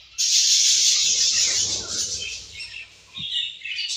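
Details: Budgerigars kept as pets, sharing food and play, burst into a loud harsh screeching squawk with a low rumbling thud beneath, easing into softer scratchy chirps, then more chatter near the end.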